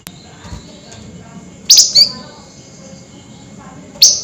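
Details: Flameback at night, excited and calling: two sharp, high, piercing notes in quick succession, then a single similar note about two seconds later, against a quiet background hum.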